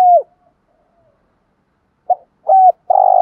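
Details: Lure Spotted dove in a 'hạp bổi' calling voice meant to attract wild birds. A falling coo, a quiet gap, then a short note, a dropping coo and the start of a long throaty coo.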